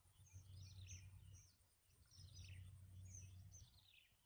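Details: Nestlings begging for food from their mother, nipping at her to be fed; bursts of high, downward-slurred squeaks come in clusters over a constant low hum.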